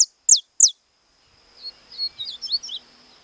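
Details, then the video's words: Captive saffron finch singing in the estalado style: three sharp, loud, high notes sliding downward in quick succession, followed by softer, quicker twittering phrases with a steady faint hum behind. "CANARIO DA TERRA CANTANDO ESTALADO"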